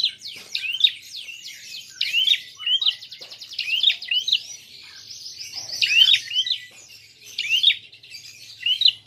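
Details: Prinia in fighting mode, a call used to provoke rival birds. Snappy chirp notes repeat in rapid groups, mixed with a dry buzzing rattle and a brief higher whistled run midway.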